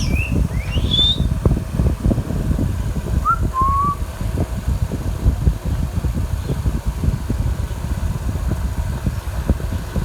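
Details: Young green ringneck parakeet kept as a talking pet whistles a few brief sliding notes early on, a high pair then two lower short glides, followed by only low droning background noise.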